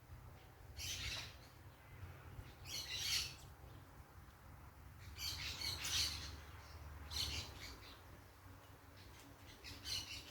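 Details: Parakeets making noise outdoors in nature: harsh, broadband screeching bursts come in quick clusters about every one to two seconds, with a steady low rumble underneath.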